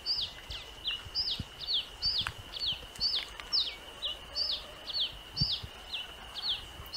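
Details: Red-capped cardinal in the wild in the Amazon: short high chirped notes repeated about twice a second in a steady series, over a constant high insect drone and rustling background noise.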